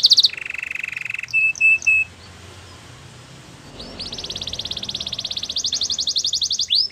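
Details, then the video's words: Canary singing a training song: a buzzy trill, short clipped whistles, a pause, then a long fast high trill rising slightly in pitch; soft background hiss. "Canary's training song"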